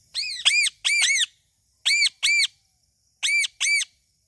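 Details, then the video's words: Talking parrot giving loud, harsh, nasal squawks in pairs, three pairs spaced about a second apart, with clean silence between them. "Talking Parrot Natural Sound"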